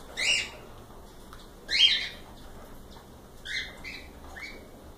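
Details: Several cockatiels: two loud harsh squawks followed by softer, flat whistled notes that fade, with quiet gaps between.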